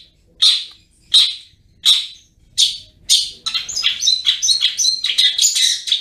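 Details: Long-tailed shrike, locally cendet, singing ngriwik. Opens with five loud, separate harsh chips about every 0.7 seconds, then breaks into a fast, unbroken jumble of squeaky twittering notes.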